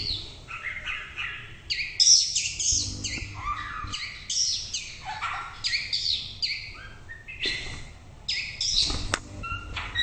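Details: White-rumped shama pouring out a rich, continuous song: rapid sequences of high whistled notes, trills and downward slurs, phrase after phrase with brief pauses, loud and clear throughout.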